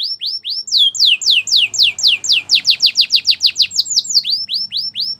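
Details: Belgian canary singing a fast, bright run of repeated rising whistled notes, about three per second, sweeping upward in pitch, with a rapid trill-like burst in the middle before slower rising notes resume; no other clear sounds.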